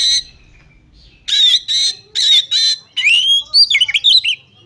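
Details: A female Oriental magpie-robin calls to provoke a male into song. After a quiet start come four loud, grating buzzy bursts, then a tumbling series of rising and warbled whistles.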